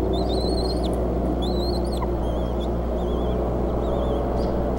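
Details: Bald eagles at the Decorah nest, evening of 8 April 2014, as the female feeds eaglets and the male brings prey twice within ten minutes. Long wavering, high whistled calls break into chatter above constant low-pitched hum.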